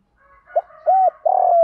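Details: Spotted dove used as a decoy, giving a short coo phrase after faint murmuring. A quick note and a level hollow coo lead into a long burring coo that tails off lower.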